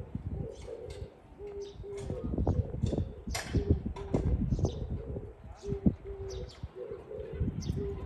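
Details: Oriental turtle dove on 13 April 2024 giving low, hoarse coos in short repeated phrases, over a steady low rumble with scattered clicks and rustles.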